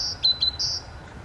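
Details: Great Tit singing in Poland on 3 May 2022: high, thin whistled notes alternating with short lower notes in a quick two-note rhythm, over a faint low background rumble.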